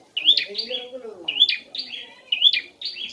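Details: Prinia singing to prompt a ceplier to respond, giving sharp rising-then-falling chirped phrases in short bursts roughly once a second, with a faint low murmur of speech beneath.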